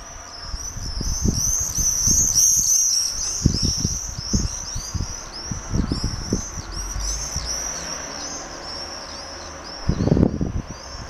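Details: Common swifts flying around in circles over Holstebro, Denmark, giving many shrill, high screams that overlap in a continuous chorus, with rumbling wind or traffic bursts underneath.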